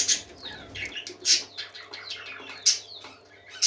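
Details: Several parakeets singing cheerfully, soft warbled chatter punctuated by loud high squeaky chirps at the start, middle and end, over a low hum.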